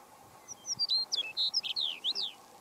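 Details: Chestnut-collared longspur singing at Pawnee National Grassland, Colorado, USA, on 29 April 2018: a quick, sweet, tinkling warble of about a dozen slurred high whistled notes, loosely falling then lifting at the end, over a faint low hum.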